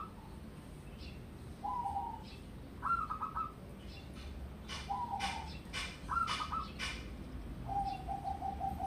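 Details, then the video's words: Zebra dove of local wild stock, kept from young, singing for use as a lure: several stuttering coo phrases every second or two, ending in a long even trill, with high sharp calls of other birds between them. "Pancingan Pekutut Lokal Manggung"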